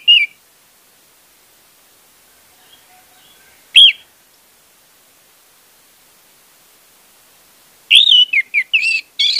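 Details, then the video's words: Orange-headed thrush song as a lure for a bird that will not sing: isolated high chirps at long intervals, followed by a fast, jumbled series of whistled and squeaky notes. "pancingan anis merah untuk anis merah macet"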